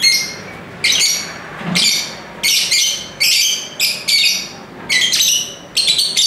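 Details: Lovebirds chattering busily, with rasping high-pitched squawks in bursts of roughly a second. The bursts repeat irregularly, about seventy times a minute, over a faint low background hum.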